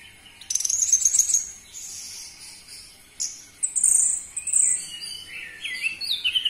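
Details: Orange-headed thrush singing, used to provoke captive birds: a buzzy high trill followed by rapid varied whistles and sliding notes.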